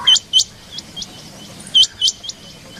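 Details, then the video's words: Female rain quail calling in the morning: sharp, high, clipped chirps with a quick downward hook, given singly and in close pairs, about seven notes in under three seconds with a quiet gap in the middle. "batair rain quail sound female rain quail new subah ki awaaz"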